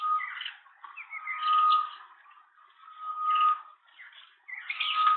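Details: Green wood hoopoe at its nest in Pretoria, South Africa, on April 21, 2023, with its first chick just hatched: harsh, chattering bursts of calls come in about four separate bouts. A steady thin tone runs underneath.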